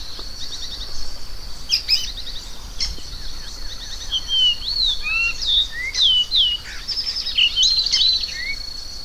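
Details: After a few seconds of faint clicks and background noise, a variable oriole (encontro) sings flowing whistled phrases of swooping, rising and dropping notes. A persistent high steady tone is heard throughout.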